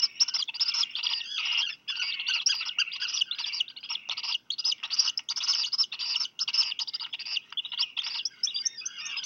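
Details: At Seal Island National Wildlife Refuge in Maine, USA, two Black guillemot chicks receive fish from both parents in a double delivery on a July 2020 afternoon; rapid, nearly unbroken buzzy high-pitched calling fills the whole stretch.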